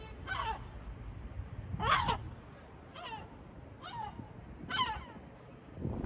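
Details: Sea gull at Batumi uttering five separate nasal, falling cries at uneven intervals of about a second, set against a soft low rumble.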